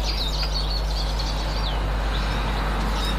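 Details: Eurasian siskin chatter from 18 March 2024: busy high twitters and wavering whistled notes, including a longer descending slur midway, with strong low background hum.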